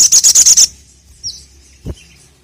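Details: Short, fast burst of five loud high chirps from a sogon, followed by a faint thin note and a soft low knock.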